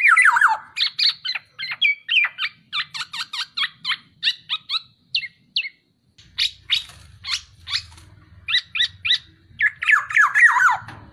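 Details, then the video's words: Masteran song of a black-naped oriole (kepodang): rapid strings of clipped, chattering notes in bursts, a brief pause midway, then more chatter ending in a descending slurred phrase. "MASTERAN BURUNG KEPODANG"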